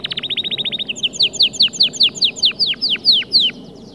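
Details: White male canary in full song to motivate other birds, opening with a quick run of identical chirps, then a sequence of loud, clear downslurred whistled notes, roughly four per second.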